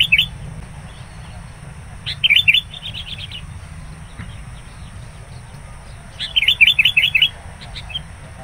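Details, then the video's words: Sooty-headed bulbul, wild, calling aggressively at a trapping site when a rival arrives around midday; two short bursts of fast, bright repeated chirps, each under a second, with quiet stretches between and low background noise. "PIKAT KUTILANG NGAMUK NGOTOT SAAT DIDATANGI LAWAN"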